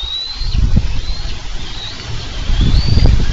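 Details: Wild bald eagles on a Minnesota nest camera, 4 July 2013, as the pair wrestle over a delivered carp: thin high whistled notes, slightly falling, repeat several times over a heavy low rumble of wind and movement.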